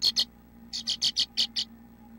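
A Violet-green swallow gives quick, thin, high chips: a pair, a short pause, then six more in a rapid twittering run.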